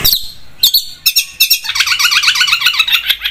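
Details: Long-tailed shrike (cendet) singing energetically: a few sharp separated notes, then a rapid rattling chatter of buzzy notes.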